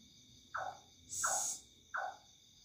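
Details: Unidentified bird calling loudly at night with an eerie sound: three harsh, downward-sliding calls about seven tenths of a second apart. A brief hiss rises between the first two calls, and faint steady electrical tones run behind.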